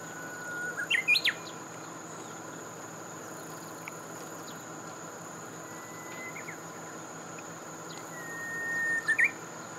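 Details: Japanese bush warbler song: a loud burst of quick ringing notes early on, then a drawn-out level whistle that snaps into an emphatic closing flourish. A constant high-pitched hum and faint background chirps run underneath.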